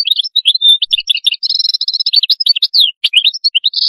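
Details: Atlantic canary giving qadous-style song: a dense, continuous stream of high, quick whistled notes and chirps, including a steady rolling trill and fast rising and falling slurs, ending on a buzzy held note.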